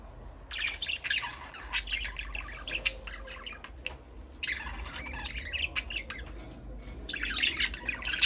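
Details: Budgerigars chattering in dense, scratchy bursts of high chirps and warbles, pausing briefly in the middle, then resuming with louder squawky notes.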